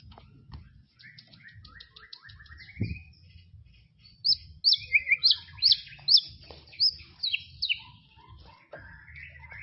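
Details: White-rumped shama in tropical forest: soft, faint twitters open the passage, then a loud series of sharp, high chirps repeated rhythmically and a few softer lower notes, over a low rumbling background.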